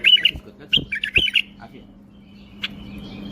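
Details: Singing tame male bulbul from Baghdad, Iraq, flicking its wings while it sings: two or three clear, warbled phrases in the first second and a half, then near silence with one faint note, over a low steady hum.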